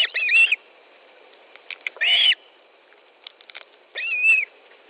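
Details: Osprey at a nest in Estonia, 18 July 2013, 10.30, during a fish delivery: three loud high whistled yelps, slightly wavering in pitch, with faint ticks between.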